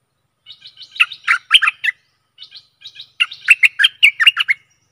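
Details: Stripe-throated bulbul song, used as a decoy to lure aggressive wild birds: bright chirping phrases of quick, slurred notes, a short phrase followed by a longer, louder burst of warbling notes after a brief pause.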